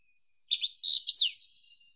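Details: Wallcreeper (Tichodroma muraria) giving a short, bright phrase of high chirps and a steeply falling slurred note.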